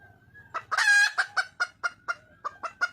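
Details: Red junglefowl hen seeking a mate in the wild: a loud, harsh, rasping squawk set among a quick string of short, punchy clucks.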